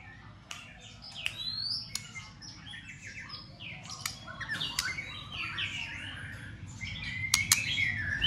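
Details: White-rumped shama stimulating others to fight-sing with continuous clicking and tail-flicking. A quieter, busy stream of varied chirps, slurred whistles and sharp dry clicks runs throughout over a steady low background hum.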